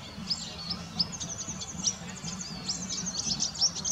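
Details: A group of around 35 cedar waxwings sings from a bare tree while hunting for berries. Very high, thin, hissing notes repeat rapidly, with a few sharp chirps standing out. A low hum runs underneath.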